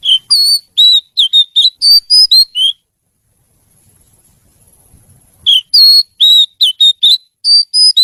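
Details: Kacer, the oriental magpie-robin, a pet songbird, delivering bursts of short clear whistled notes about two a second, a quiet pause of nearly three seconds between two phrases.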